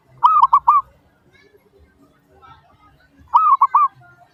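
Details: Zebra dove, locally perkutut, giving a lure song to make other doves respond: two phrases of three mellow, looping coos, separated by about three seconds of near silence with faint background sounds.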